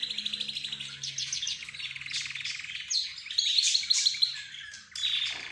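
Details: Mixed chorus of caged birds, budgerigars, birds locally called roz, zebra finches and a canary, chattering together: dense high chirps and buzzy trilled runs, with a bright repeated whistled trill near the end and a faint low hum beneath.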